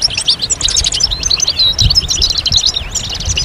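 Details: A short stretch of European goldfinch group chatter aimed at stimulating males to sing. Rapid high-pitched chirps and bouncy slurred notes pack together in a lively twittering flow over faint low noise.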